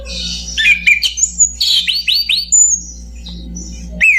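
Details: Orange-banded thrush delivering a rich song: harsh buzzy notes, a run of three sharp downslurred whistles, long high whistles and a closing steep downward slur, with a faint low hum throughout.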